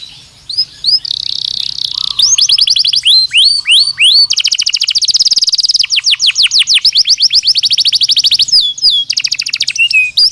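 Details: Singing Belgian canary, offered as training and daily stimulation for pet canaries; varied song of high whistled slurs, rapid even trills and buzzy rolls delivered in long unbroken phrases, with a faint low hum underneath.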